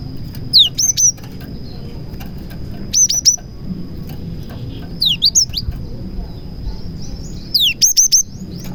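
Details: Cinereous tit (gelatik batu) delivering a song with prinia imitations to lure other tits; each phrase opens with a downslurred whistle and ends in two or three sharp high chips, repeated about every two and a half seconds.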